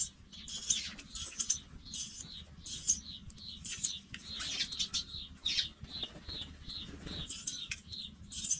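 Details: Baby pipits leaving the nest; high, sharp chirps repeated roughly every half second to second over a steady low rumble.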